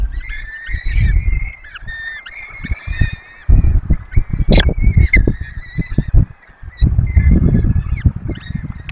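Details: Peregrine falcons at a webcam-watched nest in the Barycz Valley, an adult pair feeding four chicks. Harsh, drawn-out calls with bright overtones repeat in bursts, some with sharp upward flicks, over heavy low rumbling and knocking noise.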